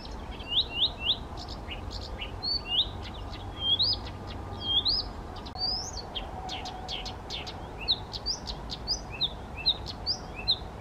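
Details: Singing male Blyth's reed warbler, first Czech record, at Bukovský pond near Těchařovice on 19 June 2014, unprompted by playback; rising slurred whistles repeated in series, each phrase given several times before changing, mixed with dry clicks.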